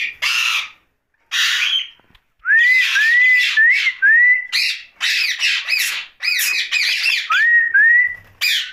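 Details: At night, a pet rose-ringed parakeet delivers loud raspy squawks interleaved with several bright rising whistles, the calls tumbling in uneven bursts with short pauses between.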